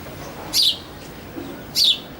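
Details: Early-morning house sparrow giving two brief bright chirps a little over a second apart, each a quick high descending note, with quiet background between.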